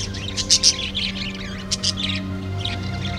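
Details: Two blue budgerigars appear to converse in quick, scratchy high chirps and short warbled bursts before one flies off, over a steady low hum that may be faint music.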